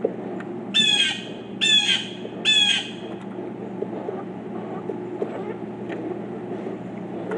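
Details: Pileated woodpecker, one of four birds present, giving three harsh, down-slurred squawking calls about a second apart, then falling quiet, over a steady low background murmur with faint clicks.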